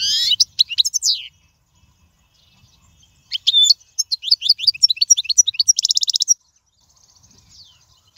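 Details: European goldfinch song played for teaching young birds: bursts of high, liquid twittering notes separated by short pauses, ending in a dense buzzy trill, with a quiet gap and faint notes afterward.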